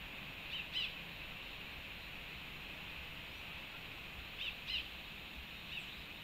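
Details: Rufous-tailed hummingbird taking a long drink at a feeder in Panama, 13 March 2024, giving thin, high chipping calls in bursts of two or three about four seconds apart over steady background hiss.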